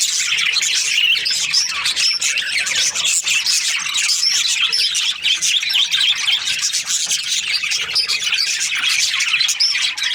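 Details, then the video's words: Breeding-pair budgerigars in full chorus, an unbroken wash of shrill chirps, squeaky whistles and harsh chatter from many birds over ten seconds. "Budgies parrot chirping sounds | Australian parrot breeding pairs"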